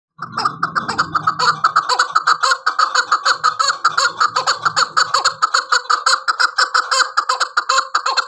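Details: Chukar partridge, described as a hunting (shikari) chakor, giving rapid, loud, repeated clucking notes in a dense run, about three per second, with a low rumbling noise during the first few seconds.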